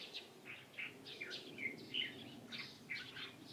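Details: Light-vented bulbul, 16 April 2023, uttering quick runs of sweet, slurred chirps, several notes per second, each short and bright, against quiet background noise.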